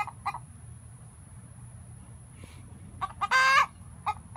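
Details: Hen's egg song after laying an egg: a few scattered clucks, a quiet stretch, then quick clucks leading to one long harsh squawk, over a steady high whine.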